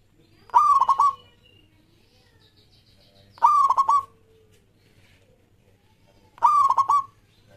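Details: Local Zebra Dove in full song, used to set off singing in other doves: three stuttering, pulsed coo phrases, each under a second long and spaced about three seconds apart. A faint steady hum lies under the calls.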